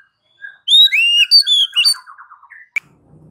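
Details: Oriental magpie-robin, in a recording used to stimulate caged magpie-robins to sing, sings a fast run of rich, clear whistles sliding up and down, then a lower buzzy trill ending in a sharp click.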